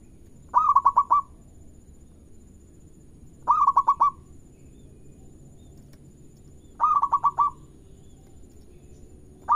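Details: Zebra dove of local stock singing, meant to coax other birds to answer; three matching bursts of five or six fast cooed pulses each, repeated roughly every three seconds, steady pitch, quiet background hum.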